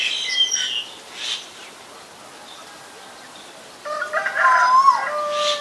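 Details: Male Asian koel calling near the end: after a quiet stretch, a loud, rich note swells and rises with a slight waver, over faint chirps from other small birds.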